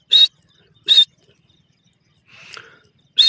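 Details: Partridge in woodland giving short, harsh, loud chirps: three sharp bursts about a second apart, with a softer rasping note between the second and third, otherwise quiet surroundings.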